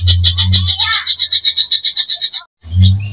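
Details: Greater green leafbird singing in full voice with a varied filler repertoire, meant to rouse other birds: a fast series of sharp high notes about three per second, paused briefly, with low thumping rumbles at start and end.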